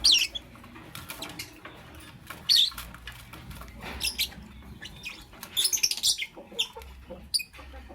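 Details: Lovebird chirping in the morning, scattered high squeaky chirps and brief twitters at irregular intervals, clustering toward the end, over a faint rustling background.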